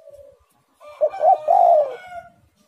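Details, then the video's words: Spotted dove song from a very active bird: a soft coo, then a loud three-part hoarse coo phrase ending in a long falling note. "tekukur super gacor suara menekan rapat"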